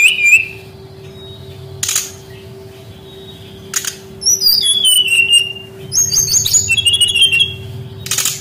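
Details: Brown-chested jungle flycatcher song played as a lure for quiet young wild birds. Sparse high whistled phrases with warbling slides and some sharp clicks are separated by long quiet gaps, with a constant low hum behind.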